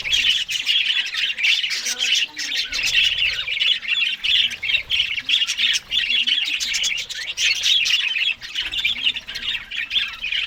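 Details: Several Australian budgerigars eating green food in the morning, a dense continuous chatter of high, scratchy warbles and squawks overlapping throughout, with short rasping notes standing out now and then.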